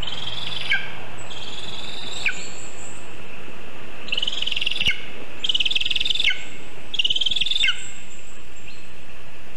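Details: Lesser spotted eagle at its birch-tree nest about 20 m up in Zemgale, 9:24 am on 19 August 2023, when a vole is delivered. Four drawn-out, shrill, pulsed calls, each ending in a sharp downward slur.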